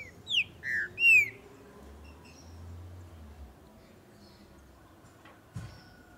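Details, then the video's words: A green-winged saltator (Saltator similis) singing "warmed up" gives a short phrase of three loud, rich whistled notes within about a second, then falls silent over a low hum and faint knock. "TRINCA-FERRO CANTANDO/ESQUENTANDO"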